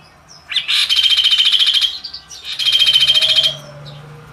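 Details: Two harsh, pulsing rattles from a magpie robin, each about a second long with a short pause between, the rapid beats even and grating, followed by a quieter tail.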